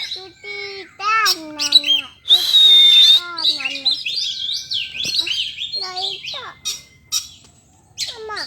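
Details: Kacer singing a varied, loud medley: sliding whistles, descending slurred notes, a sustained high whistle over a noisy burst, and rapid chattering phrases, with brief pauses between bursts.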